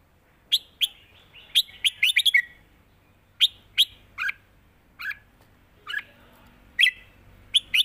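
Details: Caged red-whiskered bulbuls duel in southern Thai master-style song: crisp whistled notes, many dropping in pitch, spaced irregularly with a short rapid flurry near two seconds, against a quiet background.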